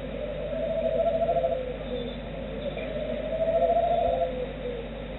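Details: Roosting Tawny Owl answering a call from its distant mate with a chirring, warbling call: two long wavering low notes, each about a second long and a few seconds apart, over a steady background hum.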